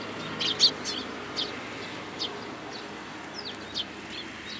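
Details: Sparrows at a Tenmangu shrine on 7 July 2022 coming to take food from a hand, giving short, high, scattered chirps, a few louder than the rest, over a soft background hiss.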